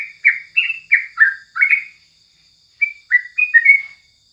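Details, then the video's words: Sooty-headed bulbul singing in the morning as a tutor recording: two bursts of short, bubbling, chirpy whistled notes that dip and rise, with a pause between, over a thin steady high whine. "Masteran paling jitu saat pagi hari #crucukan"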